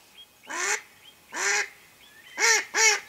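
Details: Hen mallard kept to lure wild ducks during a hunt, quacking four times, the last two close together, while thin whistled notes from other birds sound between the quacks.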